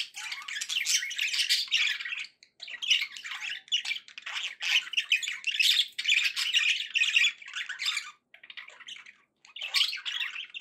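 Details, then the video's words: Pet budgies in a happy mood keep up nearly continuous buzzy, squawking warble in long phrases, pausing only briefly every few seconds. "happy budgie sounds"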